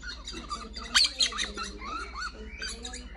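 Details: A pet orange-fronted parakeet watching YouTube videos gives sharp, high squawks and short rising chirps, with a burst around the first second, over a low indoor hum.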